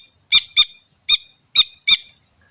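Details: Greater green leafbird in the wild, sound meant to lure birds: five grating, nasal squawks, the first two quickly paired, the rest spaced about half a second apart, with a quiet background.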